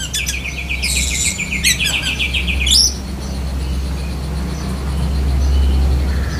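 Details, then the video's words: Oriental magpie-robin, black-breasted type, singing lovebird mimicry: a rapid rattling trill of dense repeated notes for nearly three seconds ending in a sharp upswept whistle, followed by quiet with steady low background rumble. "Kacer DAHIT besetan kapas tembak sambung lovebird"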